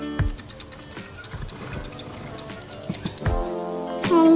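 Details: Rhythmic music with clicking percussion and a brief spoken word near the end; no animal voice is heard.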